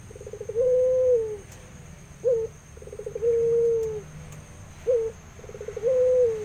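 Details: Vigorously calling Barbary dove of the puter pelung type in an aviary: rolling stuttered notes swelling into long smooth coos, separated by short sharp notes, about three phrases in rhythmic succession over low background noise.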